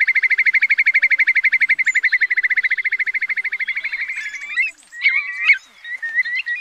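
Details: Eurasian curlew at night during August 2024 migration, recording used as a lure for night netting, giving a fast steady bubbling trill of about ten pulses a second for four seconds, then looping rising whistles.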